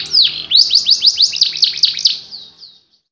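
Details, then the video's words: A canary delivers a brief burst of quick arched whistles in fast succession, each note rising and then dropping. The phrase trails off into silence in the anti njepret, nagen satu titik style. "KENARI ANTI NJEPRET NAGEN SATU TITIK"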